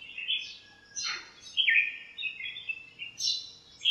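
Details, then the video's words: A morning field recording from a home backyard, with birds in a lemon tree chirping and fighting. Rapid overlapping high chirps, buzzy trills and squeaks follow one another without pause. "chirps at morning | backyard bird sounds"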